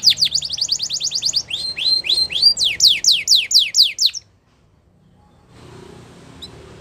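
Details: A Belgian canary sings rapid chattering notes, then rising whistled phrases and loud falling sweeps, stopping after about four seconds, leaving quiet room noise.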